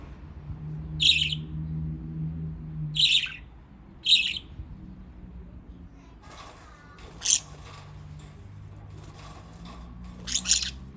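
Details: Pet budgerigars in Japan splashing about in water; scratchy chirps arrive in a loose run, while water-like rustling and a low hum sit beneath them.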